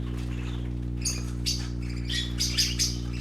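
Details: Baby parakeets playing: scattered high, scratchy chirps come in small bursts, louder toward the end, with a constant low hum beneath.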